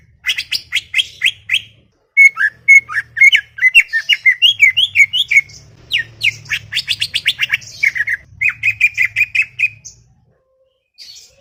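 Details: Greater green leafbird in a garden in a long, busy chattering song of rapid whistled and scratchy notes, some rising and some falling, delivered in quick runs for about ten seconds before falling quiet; low hum in the background.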